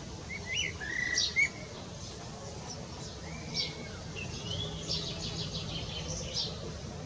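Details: Eurasian blackbird singing its evening song from a rooftop, with another heard far off like an echo; a short fluted, warbling phrase opens, followed by repeated high, thin chirps from other birds over faint background noise.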